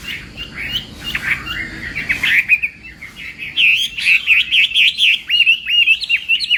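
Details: Morning training song of a Chinese hwamei singing in contest style: scratchy, jumbled notes at first, then a rhythmic series of clear, bouncing whistled phrases, each repeated several times in quick succession.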